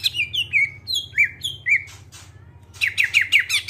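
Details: Greater green leafbird song, clear-toned, used to coax other birds into singing: a string of descending slurred whistles, a brief pause with scratchy notes, then a rapid run of bright chattering whistles over a low hum.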